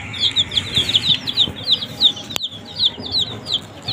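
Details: Several baby chickens feeding on green leaves give quick, high, falling cheeps in irregular bursts, about three per second, with one sharp click midway.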